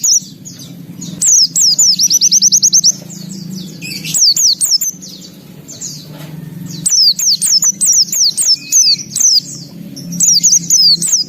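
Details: Lively white-eye singing high, rapid series of repeated slurred notes, then varied twittering phrases and a short whistle, in several bursts with quieter gaps; steady low hum in the background.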